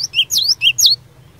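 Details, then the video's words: Cinereous tit in lively fighter song meant to provoke rivals into replying: four rapid high whistled notes alternating between a lower slurred note and a higher V-shaped sweep, then quiet. "Burung Glatik Batu Gacor Fighter, Cepat Bikin Glatik Lain Langsung NYAUT"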